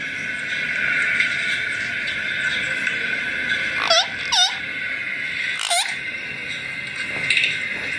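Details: A green Indian ringneck (rose-ringed parakeet, Psittacula krameri) gives three harsh, swooping squawks, two close together and one slightly later, over a steady high hiss or hum.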